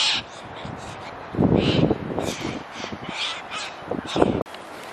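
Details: Cockatoos in Australia, where they are as common as pigeons and sometimes tame enough to approach; harsh, raspy screeching bursts rise and fall over several seconds, with low voices of people talking nearby and outdoor background noise.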